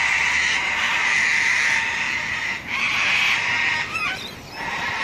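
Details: Sulphur-crested cockatoos at Robertson Park, St Lucia, scream in long, harsh, raucous bursts that almost never pause, with a few brief rising squeals near the end.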